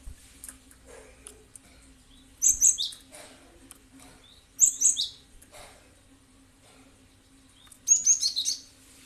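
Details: Cinereous tit (gelatik batu) calling, played as a lure to provoke other birds to answer: three separate bursts of sharp, high chirps, each a few rapid notes, spaced several seconds apart with quiet gaps between.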